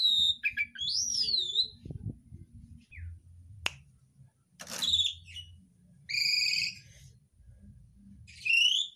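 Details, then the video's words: Asian pied starling kept as a cage bird, singing borrowed phrases from other species: wavering whistles, a sharp click, harsh noisy bursts and ringing harmonic notes between quiet gaps. "JALAK UREN ISIAN MEWAH"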